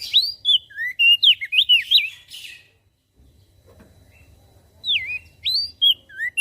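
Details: Javan grey-throated white-eye singing vigorously, its voice said to stir other birds into calling: two bursts of sharp, sliding whistled notes, rising and falling in quick succession, split by a silent gap of about two seconds.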